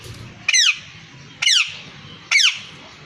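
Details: Male and female parrots; three loud, harsh squawks with layered descending tones, each about a quarter second long and spaced roughly a second apart, with faint low hum between.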